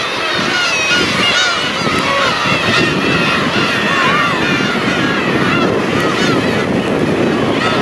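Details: Huge flock of black-tailed gulls, their mewing "nyaa nyaa" cries overlapping into a dense chorus of wavering nasal calls over a strong steady rumble, likely engine or wind noise.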